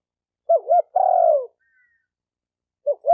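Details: Spotted dove with a double hooting note followed by a long coo sloping downward, then a new pair of hoots begins after a short gap.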